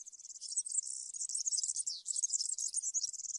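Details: European serin singing in the campero (field) style: a rapid, high, jingling twitter of buzzy notes poured out without a break for the whole stretch, with no other sounds.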